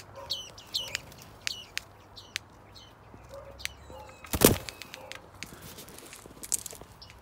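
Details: A female black-breasted thrush (Turdus dissimilis) defending her nest in an outdoor aviary gives sharp, scolding notes in irregular bursts of one to three as she attacks, with a loud flutter of wings midway and a low background hum.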